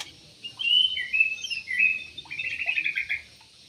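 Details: Yellow-vented bulbul in an aviary singing a continuous run of bright slurred whistles leading into a fast rattling trill.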